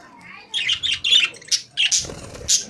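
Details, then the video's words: Caged budgerigars singing: a quick run of bright, scratchy chirps and warbling notes, about seven bursts in under three seconds, loud and close, with faint low rustling behind. "Beautiful Budgies Singing in Cage | Singing Parakeet in Cage"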